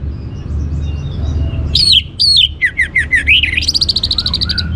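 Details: Orange-headed thrush singing as a teaser for other birds: loud looping whistles that sweep downward, repeated several times, then a rapid high trill, over a faint low hum.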